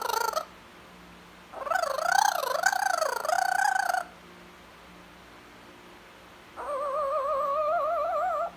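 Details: Blue-fronted amazon parrot talking in three separate phrases: a short opening sound, a long undulating voice-like phrase, then a steadier wavering phrase after a pause. No other sounds are heard.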